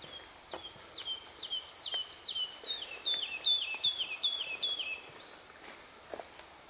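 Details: Yorkshire wood lark song, a species uncommon there but increasing: a steady string of roughly a dozen sweet down-slurred whistles, slightly accelerating and swelling mid-phrase, with a few faint clicks and crackles in the background.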